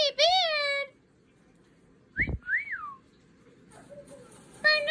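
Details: A lutino cockatiel (Nymphicus hollandicus) gives loud, harmonic-rich calls and a rising-then-falling whistle indoors.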